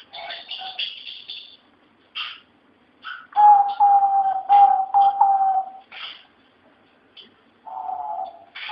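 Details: A Eurasian collared dove (Turkish dove) singing in the Patio de los Filósofos courtyard of the university in Alcalá de Henares, Spain: low, hollow, slightly falling coos strung closely in short runs, with soft higher chirps and rustling between phrases.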